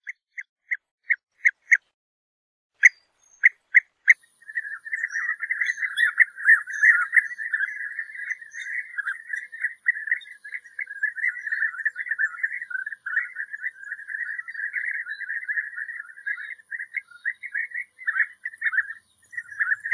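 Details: European bee-eater sounds open with about ten sharp, evenly spaced ticks, followed by a dense, continuous babble of rolling, liquid trills from several birds calling at once.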